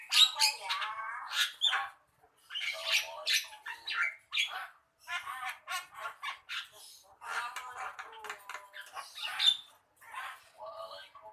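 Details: Javan myna song: a long run of loud, rasping squawks and chattering notes with occasional sharp whistled accents, delivered in uneven bursts with short silences.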